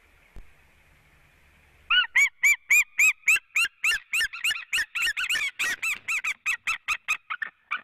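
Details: Male white-tailed eagle on the left branch at a nest in Latvia, calling to the female on a March evening: after a faint steady hum, a rapid series of high yelping notes, about three or four per second, for six seconds.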